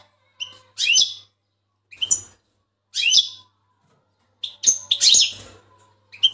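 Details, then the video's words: A big-size Turkish European goldfinch in full song training sings short bursts of high, bright, tinkling twitters about once a second, with brief pauses between phrases. "gold finch bigsize Full training singing"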